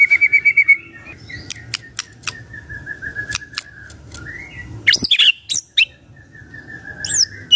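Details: Morning magpie-robin song to prompt a quiet bird to answer: a short rapid trill, then soft wavering whistles with scattered sharp clicks and a few loud high squeaky notes.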